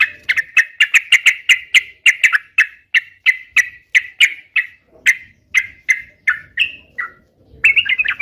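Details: Vigorous sooty-headed bulbul: harsh, buzzy single notes repeated about three times a second at first, then slowing to roughly two a second, ending in a brief twittering flourish.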